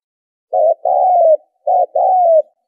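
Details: Spotted dove lure call, used to draw in wild doves for trapping: two low cooing phrases, each a short throbbing note followed by a longer, smooth, slightly falling coo, over a silent background.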